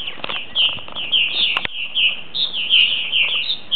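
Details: Purple martins coming in for the night, around ten birds back from last year; a busy run of rich, gurgling chirps and warbled notes, nearly continuous, with a couple of sharp clicks partway through.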